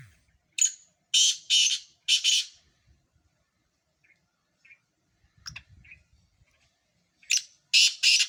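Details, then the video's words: Calling competition of four Sindhi black francolins. Two loud harsh phrases of three to four grating, buzzy notes, separated by faint chirps and low knocking. "4 سندھی کالے تیتر مقابلہ"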